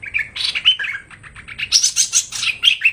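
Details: Hwamei trapping-lure song: dense, loud, tumbling whistles and trills sliding up and down, with bright high notes near the middle and end.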